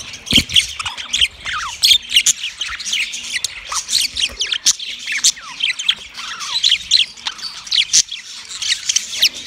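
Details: Mating chirps of a yellow male budgerigar: quick downward-sliding squeaks and sharp high clicks in irregular bursts, with brief gaps of quiet between busy runs of chatter.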